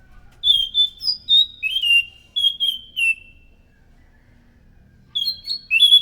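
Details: Loud scaly thrush song used to attract other thrushes: clear whistled notes, some level and some dropping, delivered in two groups with a pause of about two seconds between them.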